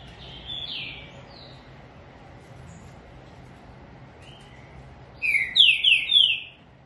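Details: Green-winged saltator kept by a bird breeder: a soft whistled phrase early on, a long quiet gap, then a loud burst of four clear, downslurred whistles in quick succession near the end, over a low steady background hum.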